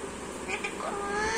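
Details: A 2-year-old female pet Alexandrine parakeet talking, Bengali-trained, in a hoarse, speech-like voice, with a short rising phrase and a couple of sharp syllables, over a steady background hum.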